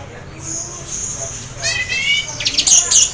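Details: Half-breeding-condition orange-headed thrush singing to stir other thrushes: a soft high whistle, then a quick run of falling notes followed by loud, sharp high-pitched chips at the end.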